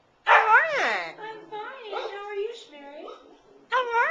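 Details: Talking parrot kept as a pet, greeting with "How are ye": a loud opening syllable sliding up and down, then softer wavering speech-like sounds, and a final sharp syllable after a short pause.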